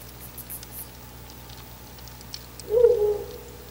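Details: Ural owl hooting near its nest box before dawn, around 4:25 am on 10 August 2019; a single low, soft hooted note swells briefly near the end after quiet background with faint ticking clicks and a steady low hum.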